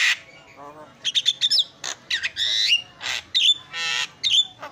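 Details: Javan myna singing for use as a tutor recording for training other birds: quick clicking chips, a low churring buzz, harsh squawks and dropping whistles in lively alternation.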